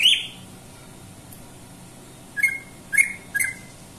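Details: Greater green leafbird (cucak ijo) giving short chirped notes: one loud opening note, then after a pause a quick run of three clipped, whistled chirps close together.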